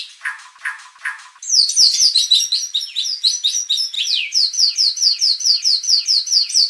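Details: White-rumped shama lure song meant to provoke contest birds into full song; opens with a few buzzy rasping notes, then a fast, regular run of sharp looping whistles repeated about twice a second.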